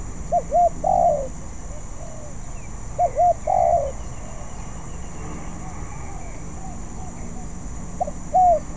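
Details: Practising spotted dove, not yet skilled: short paired coos leading into a drawn-out falling coo, repeated about every two and a half seconds over a steady low background rumble, with faint calls from other birds.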